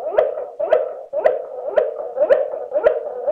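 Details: Waterslager canary singing the klokkende tour, slowed down: hollow, low, bell-like notes, each with a quick upward glide, repeated evenly about twice per second.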